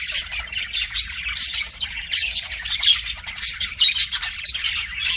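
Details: Budgerigar singing to a mirror, bursts of fast chirps, clicks and thin whistled squeaks rising and falling in rhythmic pulses.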